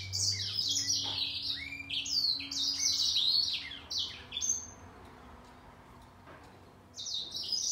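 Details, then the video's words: Grey singer finch matched against a green singer in a song contest; busy high twittering and swooping whistles for about four seconds, a lull of quieter notes, then the chatter resumes. "Gery singer finch VS Green singer singing fight 灰燕和金青斗唱"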